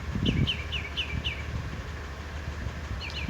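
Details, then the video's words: Northern mockingbird singing in a pear tree in Salinas, California, gives a quick run of five high, sharp chirps, a pause, then a brief burst of similar notes, over low rumbling traffic. "Sounds of Mockingbird"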